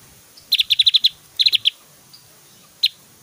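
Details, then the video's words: Loud, varied Javan grey-throated white-eye 'tembakan' song, used as a tutor for other white-eyes: a fast string of about eight high piercing notes, a shorter burst of four, then a single chip after a pause. "SUARA SIULAN JUGA TEMBAKAN 💯 DAHSYAT BURUNG OPIOR JAWA GACOR"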